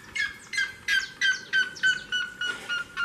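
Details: A red-legged seriema sings near a house door, giving loud, harsh, yelping notes, about three per second, each dropping slightly in pitch, in a steady far-carrying series.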